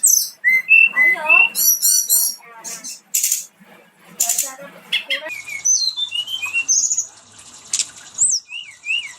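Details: Brown-chested jungle flycatcher in a long rolling song, mixing clipped chirps, dense buzzy bursts and clear slurred whistles in quick, uneven sequence, with short gaps between phrases.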